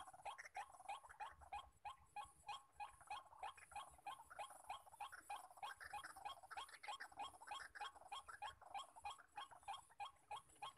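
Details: White-breasted waterhens, many males calling together at a trapping spot, produce an unbroken chorus of harsh repeated croaks, several overlapping, about three a second.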